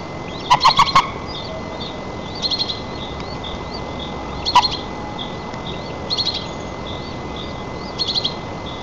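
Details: White-tailed eagle at a camera-watched nest in Nizhnyaya Kama National Park, Tatarstan, while the chick is fed, 4 May 2024: one quick run of four sharp yelping notes, a later single note, and soft high chirps scattered throughout.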